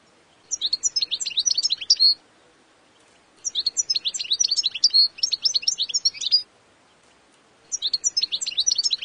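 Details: Three bursts of fast, high twittering from a European goldfinch, each lasting one and a half to three seconds, separated by pauses of about a second.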